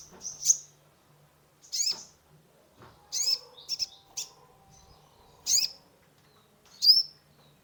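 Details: Sunbird, called kolibri ninja locally, singing energetically as lure therapy for a stressed caged bird; shrill high chirps at irregular intervals, including a quick cluster of short notes in the middle, over faint background hum.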